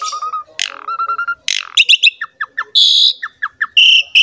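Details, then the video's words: Asian pied starling song meant to prompt other songbirds to sing: a row of level whistles, harsh rasping bursts, then quick downslurred chips in threes and loud nasal buzzes. "MASTERAN DAN PANCINGAN BURUNG JALAK SUREN GACOR JUARA"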